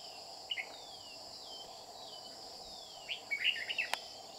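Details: Red-whiskered bulbul of the 'Má lỡ' type, used while trapping on 30 July 2019; a few short warbled phrases near the start, then a louder burst of chirpy notes late on, over a steady high insect drone.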